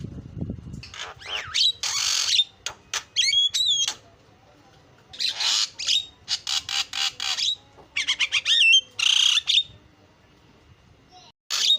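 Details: Javan myna giving bursts of harsh, rasping notes between clear, bent whistles and quick chips, in phrases separated by short silences; a low thud opens the recording.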